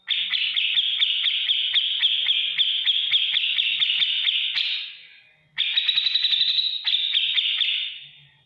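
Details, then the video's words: Tutor recording of a grey-cheeked bulbul (cucak jenggot) in energetic ngetik ngipik song: a fast, even stream of buzzy ticking notes running about five seconds, a short gap, then another rattling burst with a slight rising lift. "masteran cucak jenggot gacor beset ngetik ngipik"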